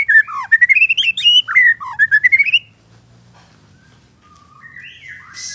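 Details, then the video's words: Champion white-rumped shama, a caged contest bird singing from an iron perch in bowing style and mimicking other birds' songs: loud, clear whistled notes sliding up and down in a fast, varied phrase lasting nearly three seconds, then quiet. "Murai Batu Juara Gaya Sujud Bongkar Isian Cililin, Kenari Tembakan Gereja Tarung"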